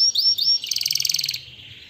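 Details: Canary singing: two quick, upswept whistled notes followed by a short, buzzy, high trill that fades out.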